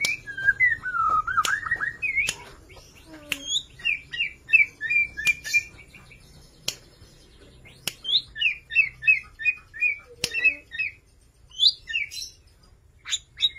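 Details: Borneo white-rumped shama singing freely, a bird offered as a lure to encourage other shamas to sing: clear whistled notes that slide down and rise again, followed by quick repeated chirping phrases, with sharp clicks and gaps between bursts.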